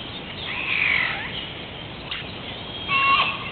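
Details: Hawaiian crow calling with a drawn-out, wavering, slightly nasal note, a brief click, then a shorter harmonic cry, all over steady low hiss.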